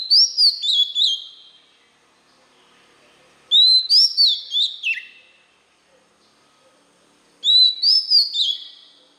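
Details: Song of a white-rumped shama, played so young birds can learn it: three bursts of rich whistles, each opening with a rising note and stepping down, repeated about every four seconds.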